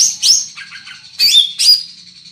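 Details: Greater green leafbird, a large-bodied caged bird, giving loud, carrying song: sharp high chirps and short whistled notes in bursts separated by brief pauses.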